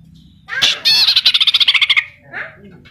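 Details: Short burst of rapid, rhythmic high chirps from a greater green leafbird whose song is filled with kapas tembak and cililin imitations, fading into softer notes.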